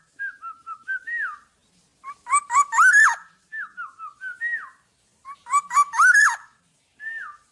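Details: Tame, cage-free black-naped oriole alternates soft descending whistle sequences with loud bursts of scratchy, buzz-laden whistles, the pattern repeating twice and ending with a single slurred note.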